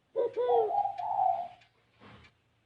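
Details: A single spotted dove phrase in the distinctive 'gáy gù kích bổi' cooing style: two quick curved low notes running into a long, level throaty coo, then a faint soft note after silence.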